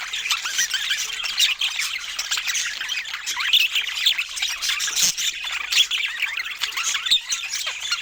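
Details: Several pet budgerigars chirping while eating fruit; a dense, continuous chatter of high squeaky twitters and short warbles, many birds overlapping with no pauses.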